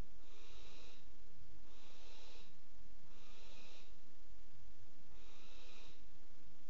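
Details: Barn owls mating on the rim of a nest box in a water tower, recorded by a live nest-box camera: four long, breathy, hissing bursts, each lasting about a second and repeated roughly every one and a half seconds, with a low steady hum underneath.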